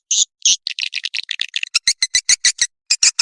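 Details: Sound for attracting swiftlets: separate high raspy chirps give way to quick chattering notes, then evenly spaced sharp clicks roughly five per second.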